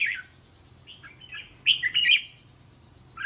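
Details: Red-whiskered bulbul song meant for coaching young caged bulbuls: soft chattering notes building into a loud bubbly whistled phrase midway, with a short note at the end.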